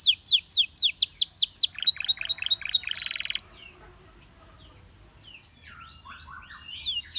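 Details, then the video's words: Belgian canary song that set many canaries singing: a fast run of bright descending notes about four per second, a short buzzy burst, then quieter scattered chirps from other birds. "The sound of This Belgian Canary Attracted Many Canaries to Sing"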